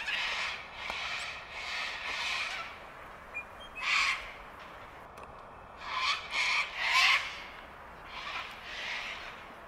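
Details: Sulphur-crested cockatoos, a sociable flock at Bundanoon station, Australia, in June 2021, give harsh, raspy screeches in short bursts, a cluster near the start and another around seven seconds, over a faint background hiss.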